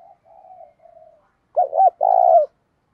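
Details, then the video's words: A decoy spotted dove calling to incite fighting: several soft, low preliminary coos, then a loud phrase of two looping hoots and an extended rolling coo. "Chim Cu Mồi_cu gáy thúc đấu"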